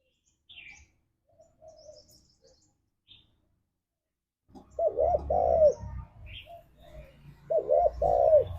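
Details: Spotted dove, a pet-bird lure recording of a lively 'ngalas'-style singer: after faint scattered chirps, two loud cooing phrases of looped, wavering notes arrive over a low rumbling background.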